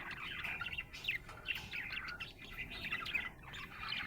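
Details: Happy budgie in lively chatter, rapid twittering notes with quick rising and falling chirps tumbling over one another.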